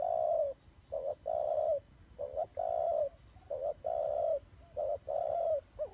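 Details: Fighting turtle doves give repeated soft, hollow coos in uneven long-and-short groups, closing with a quick wavering note, over faint steady background noise.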